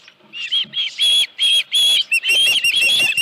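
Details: Osprey at a ranch nest with a headless fish, 31 July 2018 in the morning: a few soft notes swell into loud, high whistled chirps in quick succession, slightly rising and falling.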